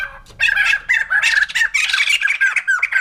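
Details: Short, dense chorus of harsh, overlapping cackles and squawks from a white-crested laughingthrush, loud and continuous over three seconds.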